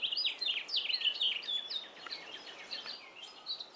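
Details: In a yard, a male house finch delivers a rapid, tumbling warble of bright slurred notes, loudest at the start and trailing into softer twitters, with other wild birds joining in.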